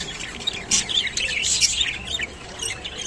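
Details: Rainbow budgerigar eating kolmi shak, kept as a pet bird: dense warbling chatter and squawks high in pitch, rising and falling in a continuous stream with brief louder bursts.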